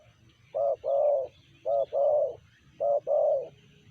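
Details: Spotted dove (tekukur) with a cooing style called sanji: low hooting phrases, each a short coo followed by a longer drawn-out coo, repeated three times about once a second over a faint low hum.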